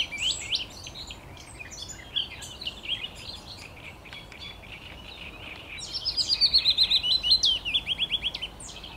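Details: Willow warbler, 17 May 2021: a sweet, liquid phrase of about a dozen quick whistled notes slipping gently down the scale, after a run of scattered high chirps from other birds.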